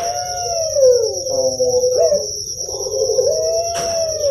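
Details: A young Barbary dove (puter pelung, Streptopelia risoria) gives a long, low, drawn-out coo that wavers and slides in pitch, over a steady high electronic whine; audio meant to stimulate young birds to call.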